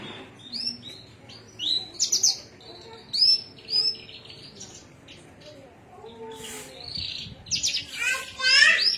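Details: Javan myna singing in Cilacap, Indonesia, a varied string of short whistles, clicks and harsh chattering notes in irregular bursts, with quieter gaps between phrases.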